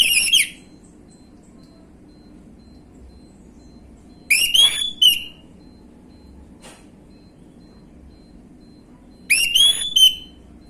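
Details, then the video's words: Orange-headed thrush, gamblingan-style song used as a lure for untrained birds: short whistled phrases that rise and then slide down into a sustained note, each ending in a brief trill. Three phrases arrive roughly every five seconds over a quiet low hum. "PANCINGAN ANIS MERAH BAHAN/GAMBLINGAN | Gak Pake Lama Langsung Ngrespon Bunyi"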